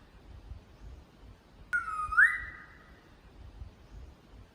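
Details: Magnificent riflebird (Ptiloris magnificus) in a park on Australia's Cape York Peninsula gives one loud whistle that dips slightly, then sweeps up and holds steady for about a second, over quiet forest background.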